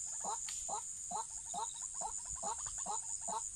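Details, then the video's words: White-breasted waterhen calls recorded for trapping: a low, hollow note repeated about every half second in a steady series, over a constant high insect drone. "Waterhen ดักนกกวัก cuab qaib deg"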